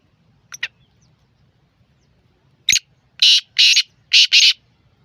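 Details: Black francolin on 12 February 2024: faint short notes and a sharp click, then five loud, harsh, grating notes in a pair-like rhythm over a low hum.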